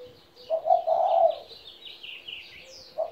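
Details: Spotted dove, a 17-year-old kept bird, giving a low, husky two-part coo, a short note then a longer rolling one, with a new coo starting at the end; thin high chirps from other birds above.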